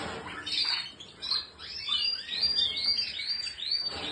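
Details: Canary song built from clear slurred whistles sweeping up and down, strung into quick repeated phrases with a few short trills, high and melodious.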